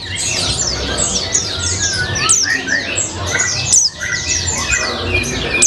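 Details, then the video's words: Pleci (white-eye), a bird kept at home and entered in song contests, singing in the lively gacor ngalas style with colibri-like phrases: dense, rapid, high twittering of quick down-slurred notes, loud and almost continuous, over a faint low hum. "Burung Pleci Rasa Colibri, Gacor Ngalas Doping Pleci"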